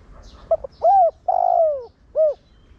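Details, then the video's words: Spotted dove cooing in the 'Thổ Đồng' voice style, a decoy call meant to spur other doves to coo: two quick clipped notes, then a mellow coo, a long drawn coo sliding down, and a final short coo. "Cu gáy Giọng Thổ Đồng Gáy Gọi kích bổi nhanh gáy/cu gáy mồi kích bổi mau nổi"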